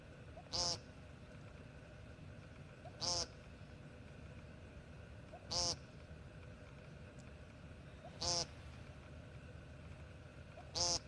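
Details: American woodcock giving short, nasal, buzzy calls, five in all, spaced about every two and a half seconds, each a sharp burst with a harsh edge, over a steady low rumble of background noise.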